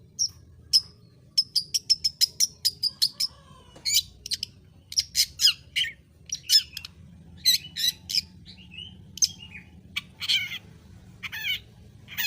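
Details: Long-tailed shrike, a songbird known for mimicking other birds and sounds, delivering a varied song of sharp, shrill high notes: rapid runs of clipped chips, then loud trilled and squeaky phrases repeated in bursts over twelve seconds.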